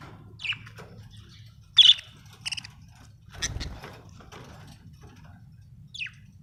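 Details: Happy budgerigar chirping: scattered short, sharp chirps and a few quick twittering notes spread over several seconds, with a low steady hum underneath.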